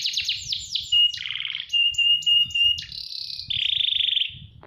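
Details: AFS canary singing at length: quick falling whistled notes open the phrase, followed by steady flat whistles, short chips and a long high buzzy trill near the end.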